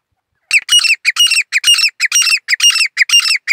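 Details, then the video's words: Grey francolin singing a rapid run of strident, grating notes in paired and tripled groups, about two per second, loud and clear against silence. "teeter birds 🐦 grey partridge 🐦 songs"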